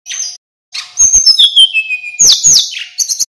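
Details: Local mountain sulingan, a male in full song, used as a training recording to bring other songbirds into breeding condition: rapid high whistled notes sweeping and sliding, interspersed with sharp clicks and short buzzy bursts, with brief pauses.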